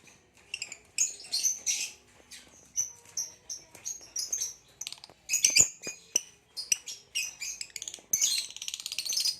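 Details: Two captive lovebirds, a green hybrid male and a Lilian's (Nyasa) lovebird, giving a near-continuous stream of shrill twittering chirps, short squeaks and rattling runs, with clicks and barely any pauses.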